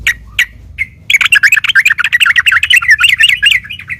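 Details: Sooty-headed bulbul in fighting song used as a lure for other bulbuls: three isolated sharp notes, then a continuous three-second stream of quick, warbling, up-and-down chattering phrases.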